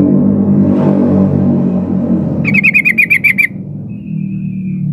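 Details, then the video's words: Female sooty-headed bulbul calling to a male, played to coax reluctant males to reply: after low rumbling background, a quick run of around nine bubbly, pulsed notes ends abruptly, followed by a faint level whistle. "suara burung trucuk betina memanggil jantan"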